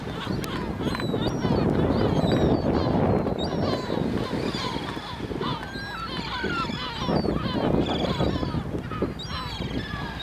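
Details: Many gulls calling together on Helgoland's dune, a constant chorus of squealing, laughing and short sliding cries layered over heavy wind and surf roar.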